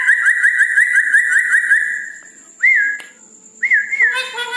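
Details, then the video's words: Red-breasted parakeet at night, chattering actively: a long, rapidly warbling whistled trill, followed by two short, higher arching whistles and a harsher ending note. "Nuri Paltem Gacor diMalam Hari"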